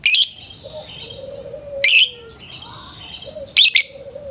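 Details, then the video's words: Lovebird calling in the morning, heard as a lure: three loud, grating chirp bursts spaced nearly two seconds apart, with softer twittering and low whistled notes from other birds in the gaps. "Pancingan suara burung lovebird pagi pagi ngekek panjang"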